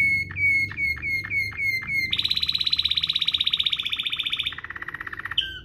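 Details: Canary giving a Waterslager-style rolling song as a tutor recording: a series of slurred, falling whistled notes, then a high, fast, buzzing roll held for over two seconds, followed by a lower steady roll and a final short note.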